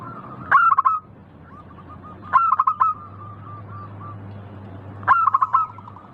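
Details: Local perkutut, the zebra dove, repeating its crisp song three times: a fast cluster of short bright notes, sometimes followed by a string of soft, evenly spaced coos, over a steady low hum.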